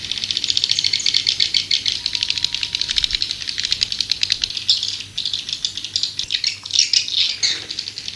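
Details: Calling sound for luring white-nest swiftlets: a continuous, rapid, pulsed rattle, high and buzzy, briefly dipping before a louder chattering finish.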